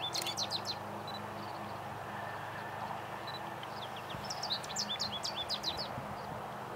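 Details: American goldfinch singing in spring, April, in Coquitlam, British Columbia: rapid bursts of high twittering and sweet, varied notes in two phrases, with a steady low hum and wind noise underneath.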